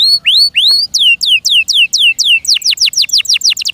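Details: Caged canary song. A few rising whistled slurs give way to a steady series of bright downslurred notes that quicken and shorten toward the end.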